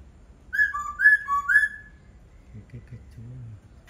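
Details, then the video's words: Laughingthrush song of three loud, pure whistled notes, each sliding downward and alternating high and low, followed by soft low murmuring in the background. "Khướu hót cực hay"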